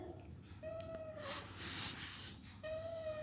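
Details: Baby Alexandrine parakeet playing, giving two drawn-out, steady, reedy squeals with rich overtones, each slightly dropping at the end, separated by a burst of breathy hissing noise indoors.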